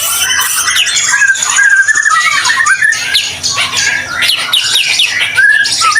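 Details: White-rumped shama singing in full voice, a recording meant to prompt other shamas to sing; rich, varied phrases of clear whistles and rapid slurred notes, some rising and falling, running almost without pause over a faint steady hum.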